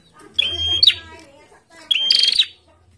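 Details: Bar-winged prinia in a cage out in the sun, calling eagerly with two quick strident phrases of a held high note and a sharp upward twist, about one and a half seconds apart; soft low hum beneath.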